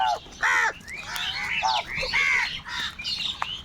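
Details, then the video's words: Crowd of crows fighting for food; rapid, overlapping raucous caws and nasal cries follow one another almost without pause, several birds calling at once. "Kaka sound and noises of Crow birds | Huge numbers of crows crowing and crying sounds"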